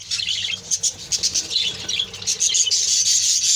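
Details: Continuous high, busy chatter from a budgerigar colony, many birds squawking and warbling together with barely any pause.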